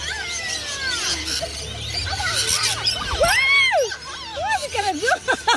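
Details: Rainbow lorikeets being hand-fed one morning at Currumbin Wildlife Sanctuary, Australia, some perching on visitors' heads, chatter in shrill, overlapping squeals and wavering screeches that rise and fall rapidly, with several birds calling at once.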